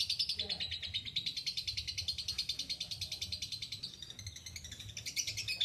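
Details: Lovebird giving a long ngekek chatter, a rapid run of sharp high chirps repeated about three times a second, steady and unbroken, with a brief change of pattern near the end and faint low background noise.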